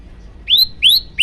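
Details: Two and a half upslurred whistles from a yellow-bellied prinia, clean and loud, in a master song meant to excite other birds.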